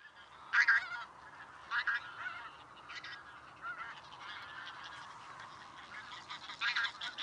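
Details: Tundra bean goose giving loud nasal honks, single and double notes repeated irregularly every second or so, with fainter honks in between.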